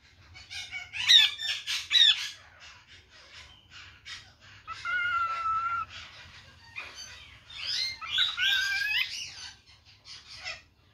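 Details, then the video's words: Parrot imitating a chicken and calling its father, giving a dense run of scratchy chatter, buzzy clucking-like notes and a few drawn-out whistled tones, loud clusters around one, five and eight seconds. "The Parrot calls his father and speaks like a chicken"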